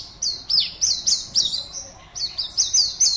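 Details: Caged Oriental white-eye in an online singing contest, participant 52 from Pontianak, West Kalimantan. It gives rapid, high, clipped chirps, several per second, in two quick runs separated by a brief pause.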